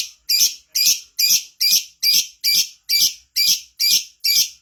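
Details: Lovebird in gacor form, the lure sound to make lovebirds sing quickly, rattling off ten harsh, shrill chirps in quick regular succession, about two per second.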